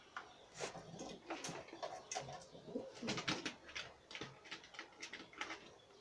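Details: Young homing pigeon squabs, nearly ready to start eating on their own, giving a steady run of raspy, noisy squeaks and wheezes about twice a second, with scuffling and wing shuffles between calls.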